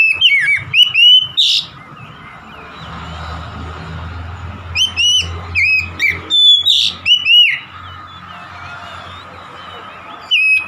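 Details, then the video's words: Oriental magpie-robin singing in the energetic gacor style: bursts of loud, clear whistled notes with sharp up-and-down slurs and quick chirps, grouped in fast phrases separated by quieter pauses with low background rumble. "KACER SETRES MACET BUNYI LANGSUNG GACOR"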